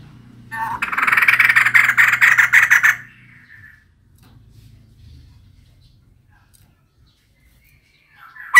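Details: Decoy-call recording of a female White-crested laughingthrush: a loud, raspy burst of fast, even pulses for about two and a half seconds, then a long quiet stretch before a sudden short sound right at the end.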